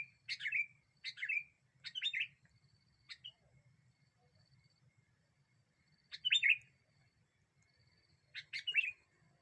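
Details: Sooty-headed bulbul used to lure and provoke other birds, giving loud, short, liquid chirping phrases, three in quick succession, then a pause of a few seconds before two more similar flourishes over a soft low background rumble.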